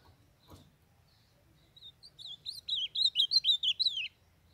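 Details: A young blue-black grosbeak from northeastern Brazil sings for warming up and training: soft notes at first, then a quickening flurry of loud, wavering whistles lasting about two seconds, after a brief click.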